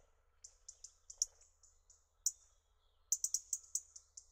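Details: European robin in a garden, March–April 2013, giving a run of thin, very high notes, several per second, with a brief pause before a quicker burst; a couple of sharp clicks are heard.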